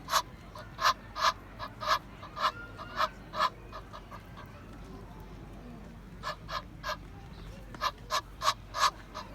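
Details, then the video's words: Egyptian goose (Alopochen aegyptiaca) calling: harsh, nasal honks in quick rhythmic series of about three per second, two bursts separated by a short pause, over faint background noise. "GANSO CANTANDO, Som de Ganso | Ganso do Egito"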